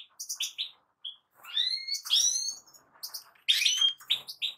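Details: European goldfinch song made of clipped high chips, then longer rising slurred whistles and a dense twittering flourish, all separated by brief gaps.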